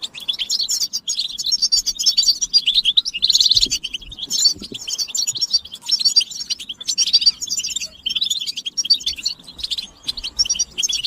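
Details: Goldfinch mating and readiness chatter from several European goldfinches, meant to prompt males to sing: nearly continuous high twittering, quick trills and a short rapid buzzing run, with small breaks.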